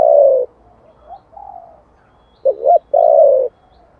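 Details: Spotted dove cooing in the giọng thổ song style for luring wild birds. A drawn-out coo fades into soft low notes, then a double hoot leads into another long, rich, steady coo.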